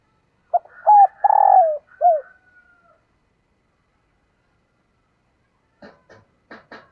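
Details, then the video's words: Female dove calling to attract males, one cooing phrase of a short note, steady hoot, long throbbing downward coo and falling final note, followed after a pause by a few faint clicking knocks. "Tiếng Chim Cu Mái Kích Trống"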